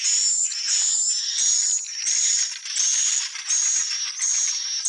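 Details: Swiftlet calls in a steady, high-pitched twittering chorus. Short whistled chirps repeat roughly every three-quarters of a second over a constant hiss-like wash of sound.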